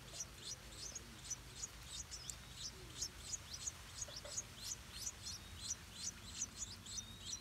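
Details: Stripe-throated bulbul nest with hungry hatchlings and defending parents, Southeast Asia: rapid, high, slurred chirps, close to three each second, kept up without pause. A few faint lower notes and a soft rural hum lie underneath.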